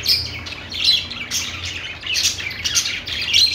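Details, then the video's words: Budgies singing in short bursts: clusters of high, rasping chirps and thin squeaky whistles about every half second, with brief gaps between phrases. "budgies singing | budgie sounds | parakeet chirping sounds"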